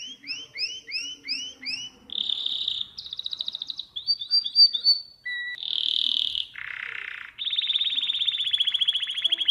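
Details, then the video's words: Domestic canary song from a recording meant for teaching young birds to sing: a run of repeated high upswept notes, then buzzy rolling trills, a short series of twittering notes, and long fast-pulsed rattling tours at several pitches. "اسطوانة تغريد الكناري الاصلي لتعليم الفراخ Chant Canari"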